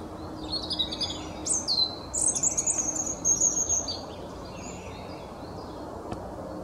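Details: A robin sings back and forth with another robin, giving a high, thin phrase of quick warbles and sliding whistles over steady background hiss.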